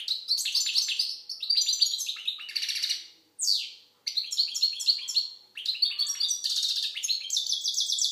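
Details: Algerian goldfinch song, a busy stream of high twittering chirps and buzzy trills with one clear descending swept note midway, then rapid metallic rattling phrases; quiet background.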